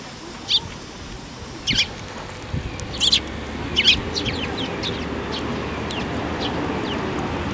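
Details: Young Eurasian tree sparrows flying to a plum tree at a Tenmangu shrine to be fed, 25 May 2024; four short high chirps spaced about a second apart, then quieter faint chirps over steady low background rumble.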